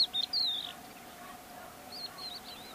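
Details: Crested lark (Galerida cristata) calling: a few clear, high whistled notes ending in a slurred, falling whistle, then softer repeats, over a steady low hum.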